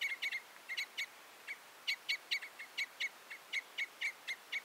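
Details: Common Crossbill calling steadily with crisp, abrupt notes delivered in rapid, uneven sequences, nearly without pause.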